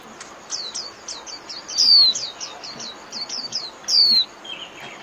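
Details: Japanese white-eye 'líu' song used to train caged birds: scattered high, slurred chips punctuated by two louder piercing whistles that sweep sharply downward, over a soft hissing background.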